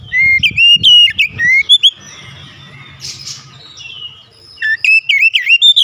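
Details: Oriental magpie-robin in full lure song showing off imitations. Rapid, loud, warbling whistles repeat with sharp upward flicks, pause for quieter high notes and background murmur, then resume in a fast chattering series.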